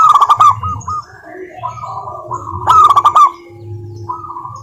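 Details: Local zebra dove singing, recorded to lure silent doves into song: rapid stuttering coos at a steady pitch, interrupted by loud harsh bursts, with a faint low drone.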